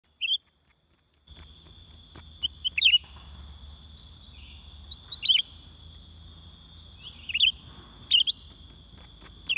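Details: Greater green leafbird, a decoy bird used in bird trapping, giving short sharp high chirps in brief clusters every two to three seconds, with a steady high electronic whine throughout and a quiet gap at the start.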